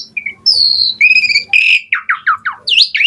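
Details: Asian pied starling singing for use as a lure to make starlings reply: drawn-out whistled notes at two pitches, followed by a quick series of falling, slurred squawky notes and a rising whistle.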